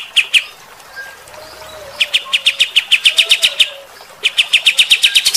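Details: Rough 'tembakan' shooting song of a kapas tembak bulbul, used to rile fighter-type birds: two sharp chirps, a quiet gap with a faint low whistle, then a long burst of rapid, piercing chirps and another short volley.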